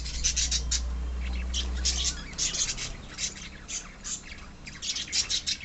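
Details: Budgerigar colony of pet birds squawking in rapid, uneven bursts of short, harsh high notes; a low steady hum runs underneath for the first two seconds.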